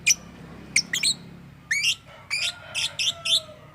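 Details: Lovebird with an odd voice, described as mimicking human speech: high squeaky chirps, then strident buzzy notes in pairs, with thin steady tonal lines running beneath.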